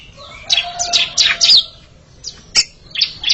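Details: Oriental magpie-robin pair competing in song, heard as softer buzzy downslurred notes and scattered chirps, with one sharp click-like note and gaps of quiet between phrases.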